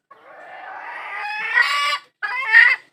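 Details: A domestic hen calls out for a rooster with a long, nasal, steadily building cry that ends abruptly, then after a pause gives one shorter, harsh, bright note.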